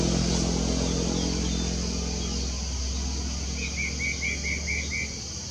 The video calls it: Spot breasted Parrotbill singing